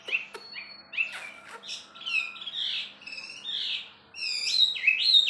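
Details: Wambi bird delivering a varied jumble of chirps, sharp clicks and warbled whistles, growing louder toward the end with high twisting notes.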